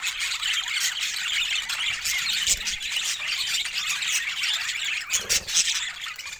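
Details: Budgerigars produce a continuous wash of shrill chirps and squawks, many calls overlapping, with a few louder sharp notes near the end.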